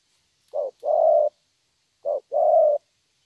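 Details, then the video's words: Young wild-caught spotted dove singing in the 'thổ' style: two phrases about 1.5 seconds apart. Each is a short low coo followed by a longer, steady drawn-out coo, and the background is quiet. "Thổ tốt tiếng.(chim tơ)"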